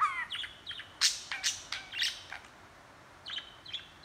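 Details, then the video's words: Budgerigar talking and chattering: a rapid run of sharp chirps and squeaky notes in the first half, then softer repeated tweets after a pause, recorded handheld indoors. "Budgie talking & chattering"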